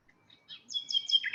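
A brief, high phrase of nightingale song: a clear whistled note swelling into rapid, rich chirping trills, with faint background hiss.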